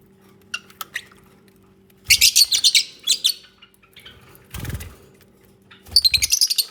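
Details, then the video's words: Lovebirds bonding and nesting together, giving bursts of rapid, high, sharp chirps in quick pulsing series, separated by short pauses, with a couple of dull knocks and a steady low hum underneath. "Peaceful Lovebirds Moments | 20 Min Unedited Natural Bird Sounds"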